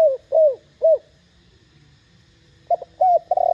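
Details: A spotted dove in the 'thổ đồng' voice style, calling loudly to stir other doves to coo; three falling coos open, then silence, then a stuttered note and a drawn-out coo.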